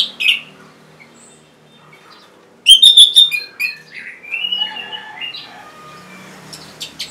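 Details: Caged orange-headed thrush song meant to coax stalled or reluctant birds into singing: after near silence, a sudden run of sharp, high whistled notes, then lower warbling, slurred phrases that fade over quiet background hiss.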